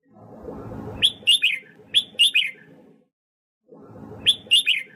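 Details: Red-whiskered bulbul song used for voice training and to provoke newly caught birds, with two bursts of quick, clear whistled phrases of three slurred notes each, separated by a brief silence, and low background rumble underneath.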